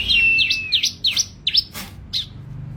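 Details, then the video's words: High-pitched song of a ciblek (bar-winged prinia): a long level whistle followed by a string of quick, sharp chirped notes, then one last faint chirp after a soft noise. "SUARA BURUNG CIBLEK GACOR"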